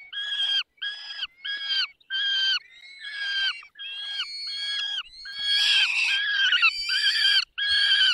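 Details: Peregrine falcons during feeding in the Barycz Valley on 20 May 2021 at 10:22: harsh, nasal, harmonic squeals repeated about once a second, rising into denser overlapping wailing, with a thin steady whistle beneath.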